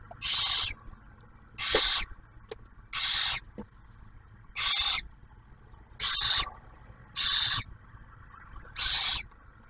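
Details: At a barn owl nest in Ottawa National Wildlife Refuge, Ohio, as the male delivers food and the female feeds the newly hatched owlet, seven steady breathy screeches repeat about every 1.4 seconds, each roughly half a second, over a quiet background.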